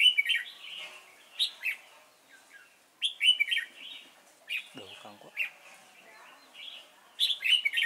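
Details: Red-whiskered bulbul kept as a trapping decoy at Chùa Hương, Vietnam, 28 November 2017. Short warbled, chattering phrases come repeatedly every second or two, with a brief low human voice midway.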